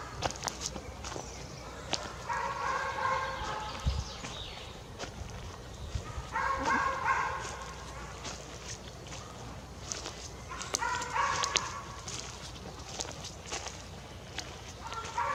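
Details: Young jay, out of the nest, in a forest, giving harsh, raspy calls with layered tones in drawn-out bursts of about a second, repeated every few seconds, with rustling and faint clicks between.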